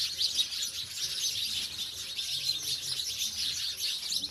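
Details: House sparrows in a village setting, away from the city, produce a short burst of densely packed, sharp, high chirps overlapping one another.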